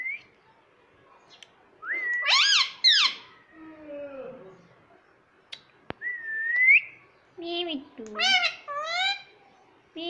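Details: Talking rose-ringed parakeet mimicking "Mummy Papa": bright upslurred whistles mixed with harmonic, voice-like syllables, some sliding downward, arriving in bursts separated by short silences and a sharp click.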